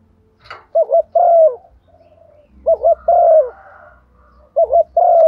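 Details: Female spotted dove calling in the gáy gọi and thúc gù styles: three phrases, each a quick double coo followed by a longer rough, falling coo, with a soft low rumble underneath.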